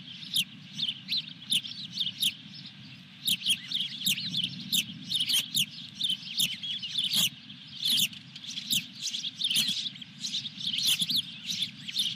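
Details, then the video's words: Dunrovin Ranch osprey at the nest with the fourth fish, 23 June 2021. A long excited run of sharp whistled chirps, several per second, quickening midway, over a constant low hum. "Dunrovin Ranch Osprey Video_2021-06-23_221314-Fish #4"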